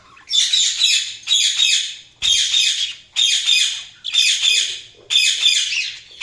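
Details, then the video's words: Budgerigar chirping in six loud, harsh, buzzy bursts of high chatter, each lasting under a second and repeated roughly once a second with short silent pauses. "Budgies Chirping sound"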